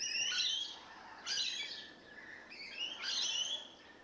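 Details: Rainbow lorikeets newly settled in, giving grating, high screeches in three loud bursts separated by brief pauses, with faint chatter between.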